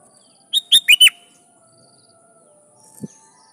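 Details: Sooty-headed bulbul singing to call rivals so wild birds reply; one quick phrase of four bright, clear notes, the last ones dropping in pitch, followed by quiet and a faint low thump.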